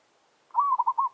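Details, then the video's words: Single phrase from a village zebra dove challenging rivals while used as a lure: a drawn-out soft coo that slides into three quick bubbling notes. "Merbok kampung - Anggar buat hal..pijak tak jatuh. Burung hutan siap bagi tandang."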